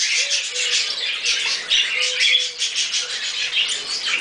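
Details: Harsh, grating chatter from a pair of pet Quaker parrots while they eat a strawberry, continuous rasping squawks with a couple of short whistled notes and faint low hums.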